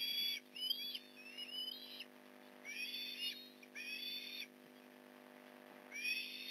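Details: Osprey calling at a Port Lincoln nest as fish is delivered, November 15, 2019, 8:24am: repeated grating whistled bursts, some with sliding upward notes, broken by silent stretches; a steady electrical-like hum underlies everything.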